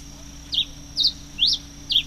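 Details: Red-crested finch (Coryphospingus cucullatus), recorded 22 October 2008, gives four short, sharp, high chirps, one about every half second, over a faint steady hum.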